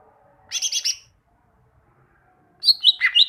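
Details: Greater green leafbird (cucak ijo) song for training caged birds: a quick four-note chattering burst followed by a falling, slurred series of whistled notes.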